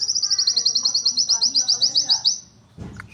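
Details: White-eye singing a fast, steady run of high ticking notes, roughly a dozen evenly spaced pulses in under two and a half seconds, ending in a soft low thud.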